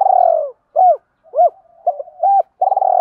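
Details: Decoy spotted dove cooing to provoke and attract wild doves, with urging and calling phrases: a long falling coo, then a series of short arched coos, a stuttering double note, and a final rolling coo.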